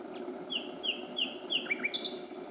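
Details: Common nightingale singing at night at Myttäälä, Pälkäne, between 23:24 and 00:29 on 6–7 June 2016. Four clear, repeated down-slurred whistles come quickly in a row, then a couple of sharper notes and a high chirp, over a low steady hum.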